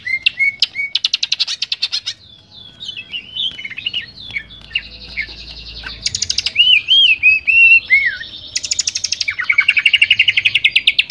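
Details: Varied greater green leafbird song, tutoring material for cage birds: buzzy rattles, slurred rising and falling whistles, and rapid trills, changing phrase every second or two in a rich, mimic-like medley.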